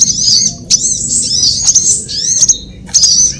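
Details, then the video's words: Sunbird lure call used to attract birds for trapping, drawn from several sunbird kinds: high, thin twittering phrases with sliding whistled notes, broken by short sharp chips roughly every second, with a faint low hum beneath. "Suara pikat semua jenis burung kolibri"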